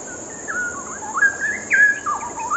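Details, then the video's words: Cucak rawa, the straw-headed bulbul, pours out a bubbling run of liquid, slurred whistles that rise and fall in quick succession, with a faint constant high-pitched hum behind it. "indahnya kicau burung CUCAK RAWA bikin adem dengernya"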